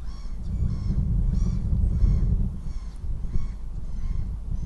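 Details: Northern goshawk at the nest in Riga on 9 April 2017, giving harsh, nasal calls repeated about every half second over a steady low rumble of background noise.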